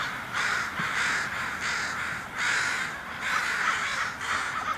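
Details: Crows caw while flying off: a run of harsh, hoarse caws, about five in under five seconds, each lasting half a second or more with short gaps between, against a steady outdoor hiss.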